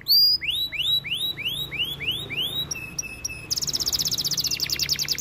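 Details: White canary in song: a repeated rising whistled phrase about seven times, a brief flat tone, then a fast high rattling trill to the end.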